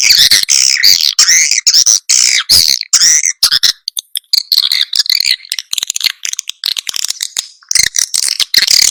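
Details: Swiftlets in a lure recording meant to draw and settle birds. Harsh buzzy chirps pour out in rapid bursts, then thin to scattered ticks before the chattering returns.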